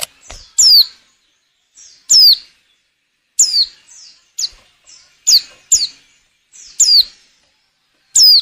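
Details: Breeding-condition female white-eye calls to get males singing, for luring. High, thin whistles sweep sharply downward, repeated irregularly about forty times a minute, alternating with weaker echo-like notes.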